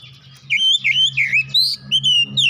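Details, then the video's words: Short burst of gacor singing from an oriental magpie-robin, therapy recording: rich, rapid whistled notes sliding up and down in a continuous stream, with a constant low hum underneath. "Kacer cepat keluar suara gacor"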